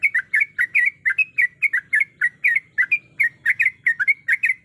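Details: Female yellow-vented bulbul in heat calling a male: an unbroken, lively chatter of bright bubbly chirps, some doubled, roughly four per second, over a faint low hum.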